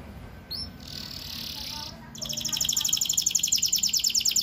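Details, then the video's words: Atlantic canary, kept for training young canaries to sing, singing a long rolled song: a fast, even trill of sharp high notes from about two seconds on, after a brief hissing rush of noise. "Kenari Cengkok Asyik, cocok untuk Pancingan PAUD Kenari"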